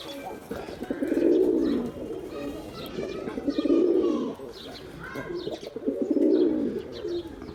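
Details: Three evenly spaced deep coos from a male pigeon, a call used to attract pigeons, each a swelling rolling phrase of about a second, separated by quieter gaps with faint chirping.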